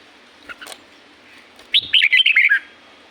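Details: Red-whiskered bulbul in natural forest at La-u, Thailand: faint notes at first, then one loud rapid phrase of rolling, slurred whistles lasting under a second.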